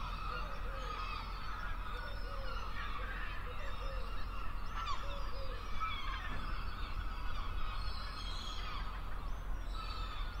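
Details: Gulls calling over the sea: many overlapping, harmonic, mewing and laughing calls rising and falling, some short and some drawn out, above a constant low rumble.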